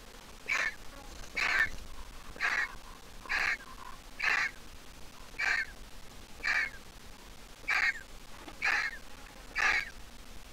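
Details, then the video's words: Griffon vulture nestling, fully grown but still squeaking, in its nest; hatched at a zoo and placed in a wild nest. Ten harsh, squeaky notes with a bright tonal core, given about once a second in a steady series over quiet background. "The Griffon Vulture nestling is all grown up but still a squeaker."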